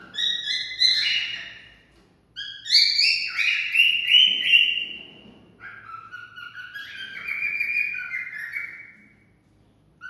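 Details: Song of a cockatiel, meant to stimulate mating, delivered in three phrases of stepped whistles, each rising then sliding down, with short silences between phrases.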